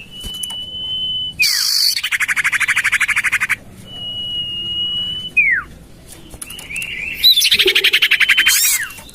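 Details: Common iora lure call for attracting birds: long level whistles alternating with loud rapid buzzy trills and quick falling slurs, repeated through the recording.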